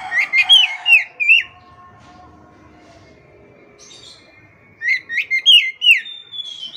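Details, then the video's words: Oriental magpie-robin in gacor song for retraining stressed, silent caged birds: a dense cluster of loud whistled notes, a long pause with a faint steady tone, then another bright burst of slurred whistles ending in a sustained high note. "KACER MACET TOTAL pasti akan PULIH dan NYAUT dengan dimasteri kacer ini"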